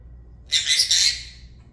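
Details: Niko, a male pet talking Senegal parrot (Poicephalus senegalus), gives one harsh, raspy squawk lasting about a second, high-pitched and grating, in a quiet room with a faint low hum.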